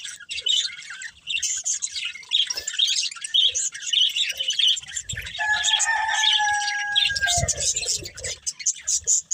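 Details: Budgerigars, a breeding pair, warble and chirp in rapid high chatter, with a couple of drawn-out whistled notes partway through and occasional soft low thumps.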